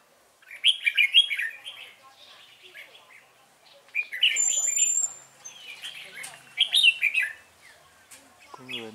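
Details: Decoy red-whiskered bulbul at a trapping session, 12 November 2017, singing to lure wild rivals: three separate bursts of fast, bright warbled whistles, each about a second long, with short quiet gaps between.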